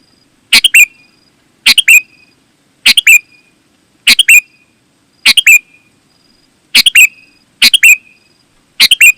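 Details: Sooty-headed bulbul, used for luring wild bulbuls: eight clear phrases of quick bright chirps that end in a brief falling whistle, repeated about once a second, with a faint steady high tone between them.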